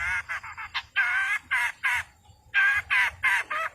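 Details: Long-tailed shrike giving a provoking song to stir silent birds. Harsh, rasping, buzzy notes come in quick succession, broken by one brief pause, then resume.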